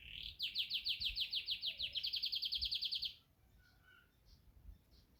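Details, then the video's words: Yorkshire canary singing a fast, bright trill of rapidly repeated high notes lasting about three seconds, its rhythm quickening slightly midway, then breaking off into a few faint scattered chirps over a quiet background. "Yorkshire canary singing"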